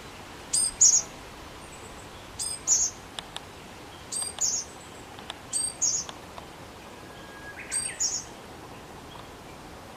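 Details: Japanese tit calling: short, thin, very high paired notes, the second dropping slightly, repeated five times about every two seconds over a quiet, steady background hiss.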